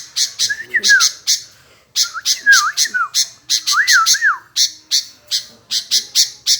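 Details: Sooty-headed bulbul calling nonstop and answering back: loud harsh chattering notes in quick bursts, mixed with short liquid whistles that slide and wobble up and down, separated by brief pauses.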